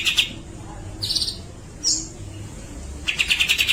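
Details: Grey-cheeked bulbul giving "besetan" and long-shot "tembakan" song: short, bright, shrill notes, then a brief high squeak, ending in a quick rattling run of repeated high notes.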